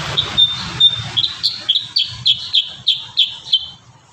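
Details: Kurincang in full, lively song with varied filler notes: a few thin whistled notes, then a steady string of about ten bright, high chirps, each roughly a third of a second apart.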